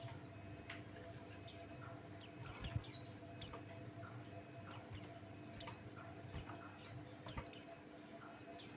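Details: Male Buxtoni white-eye giving a lure song to provoke other birds. Short bursts of very high, downward-sliding chirps recur every second or so in an energetic series. A constant low hum is audible in the background.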